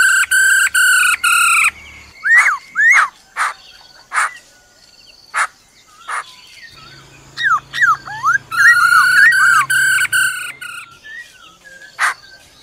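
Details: Black-throated laughingthrush singing in forest style, accompanied by a female's rolling trill: loud, strongly harmonic sustained notes in bursts, then swooping whistled slurs and sharp clicks, with a renewed run of rich held notes near the end.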